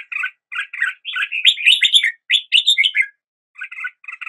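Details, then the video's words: Red-whiskered bulbul song of quick, liquid chirps that run together into a lively warbled phrase, then a pause and a few more short notes. Clean background. "Red whiskered Bulbul Song"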